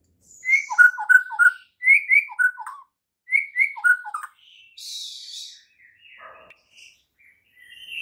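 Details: White-rumped shama morning training song to provoke other shamas into singing; clusters of short bright whistled notes repeated in groups, then a harsh hissing burst and softer scattered notes.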